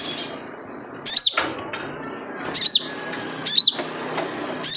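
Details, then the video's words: Typical 'jrejet cuit' call of a wild sunbird (sogon) played as a lure: four sharp, very high chirps roughly a second apart, each flicking downward, with faint quieter notes and low hiss between. "Jrejet Cuit Suara Panggilan Khas Sogon Liar untuk pancingan sogon agar gacor"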